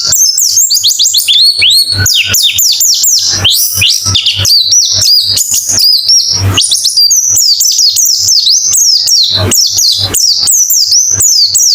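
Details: White-eye song used as therapy to get a bird singing fast with open beak: dense, rapid, very high twittering of short sliding and descending notes, continuous throughout, with a faint low hum beneath.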